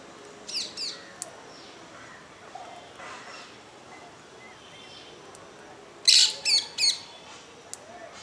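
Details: Two rose-ringed parakeets interacting on a terrace. Two brief high chirps open, then a quiet stretch with faint background sounds. A burst of three loud, harsh, high chirps follows near the end.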